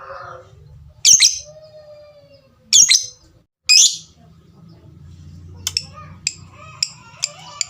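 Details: Lovebird giving three loud, harsh high squawks about a second apart, followed by a series of short, sharp ticks spaced roughly half a second apart.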